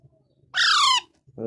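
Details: One harsh, descending squawk from a baby parrot, buzzy and strongly harmonic, followed shortly by the onset of a lower, tonal sound at the very end.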